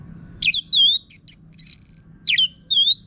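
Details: Caged-bird training song of an orange-headed thrush from northern Bali: quick sharp downslurred notes mixed with sweet sustained whistles and brief chatters, delivered in a continuous varied phrase.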